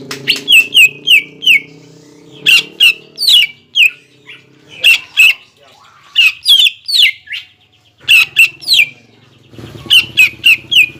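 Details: Greater green leafbird song used as a lure so contest birds will sing in ngentrok fighter style. Rapid clusters of piercing, falling whistled notes come in repeated phrases with brief gaps.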